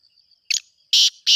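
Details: Black francolin in the breeding season: a brief scratchy note, then two loud harsh rasping bursts ending the phrase, with a thin steady high hum behind.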